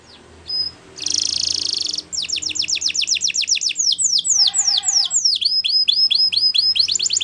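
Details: Canary training song over faint background hiss: a brief note, a dense buzzy burst, then a long run of quickly repeated sharp downslurred notes, briefly joined by lower stacked tones midway.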